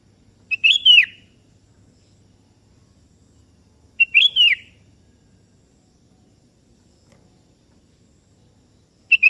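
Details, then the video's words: Sooty-headed bulbul calling a rival, which answers. The same short, clear whistled phrase repeats roughly every three and a half seconds, three times in all. Each phrase has quick introductory notes and ends in a downward-curving fluty slur. "Suara Merdu Burung Kutilang KEBO Gacor Memanggil Lawan Ikutan Bunyi"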